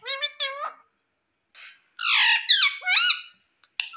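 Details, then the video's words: Pet green ringneck parrot indoors mimicking speech, taught to say "mummy": stacked squeaky syllables, a hushed breathy bit, then loud harsh wavering phrases with rising-falling tones. "Talking Parrot | Mummy Mummy Bolne Wala Parrot"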